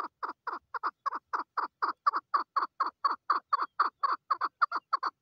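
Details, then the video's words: A female chukar partridge gives a fast series of harsh, clucking 'chuk' notes, about four each second, with no other sounds. "Female chakor best voice//Chakor voice//chakor sound//طایر الحجل// Keklik sesi"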